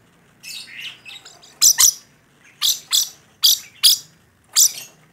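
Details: High, harsh paired screeches from a vocal rainbow lorikeet, given in separate bursts with short silences between them.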